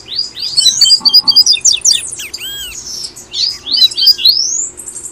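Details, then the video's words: Double-collared seedeater in the Brazilian 'tui tui' song style: quick high twittering phrases of upslurred and downslurred whistles and chirps, tumbling together, over a faint low steady hum. "PAPA CAPIM TUI TUI"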